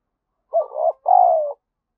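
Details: One two-part coo from a lure spotted dove: a wavering buzzy opening note, a short gap, then a sustained mellow coo that slowly drops in pitch.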